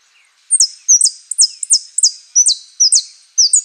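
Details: Saffron finch singing a song with prio, golpe and pitada elements. Sharp, high, sweeping whistled notes repeat about twice a second, each a quick downward slur, in a clean recording with no other sounds.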